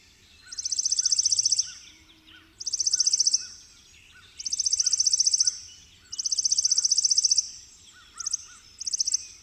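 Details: Chipping sparrow song: dry, rapid, even trills of high notes, each lasting about one second and repeated every two seconds, with quieter chirps from other birds beneath.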